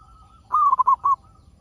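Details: Local zebra dove in full song, played to coax other zebra doves into singing: a single short phrase of four rapid, rolling coos, each mellow and slightly falling, with a faint coo trailing before and after.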